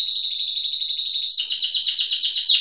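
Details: Timbrado canary song from a 92-point bird of 2011: a sustained high steady trill that breaks into fast rolling chopped notes, clear and loud throughout.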